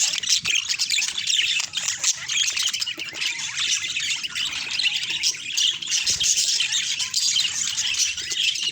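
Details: Budgerigars chattering in a natural recording, a thick, unbroken stream of high squawks, warbles and chirps from many birds, with faint low rustling underneath.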